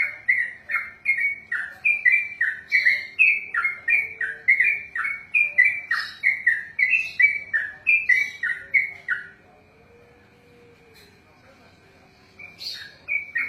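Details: Yellow-vented bulbul (trucukan) in long 'ropelan' song: rapid, evenly spaced slurred whistles, near three per second, flowing for about nine seconds before a pause, then a brief sharp note and a new phrase at the end.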